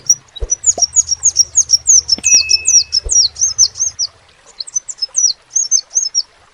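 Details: Sepah raja, the crimson sunbird, singing energetically: quick strings of piercing, high down-slurred notes in two phrases, accompanied by a few sharp clicks, a brief steady tone and a low hum early on.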